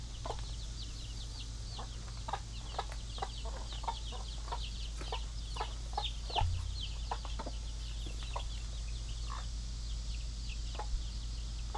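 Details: Pet mother hens stay in the pen caring for their baby chicks while other hens are out; short soft clucks sound irregularly under a dense stream of high, thin, falling chick peeps, over a steady low hum.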